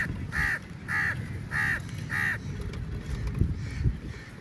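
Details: Angry crow feeding on meat gives four harsh, nasal caws about half a second apart, then falls silent; steady low wind rumble runs beneath.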